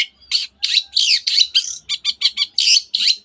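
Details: Long-tailed shrike in energetic song that includes canary imitations and many other birds' phrases: a tight run of loud, buzzy, high chirps, roughly three per second, some broad and rasping, others short and clipped.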